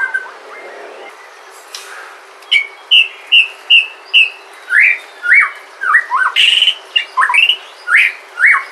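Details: White-rumped shama of Sumatran origin, a natural recording used to coax other shamas to sing: after a quiet start, a series of about a dozen bright, sweeping whistled notes repeated roughly every half second, some sliding steeply upward.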